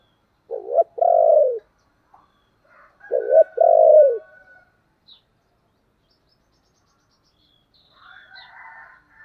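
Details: Spotted dove, 'thổ' voice style, urging and calling. Two low coo phrases about two and a half seconds apart. Each has a clipped double note leading into a long, mellow, falling coo. A softer rasping call follows later.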